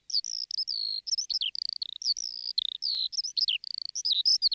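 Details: Woodlark (Lullula arborea) song: a fast, unbroken stream of high twittering and slurred whistled notes, with quick rising and falling phrases, and no other sounds.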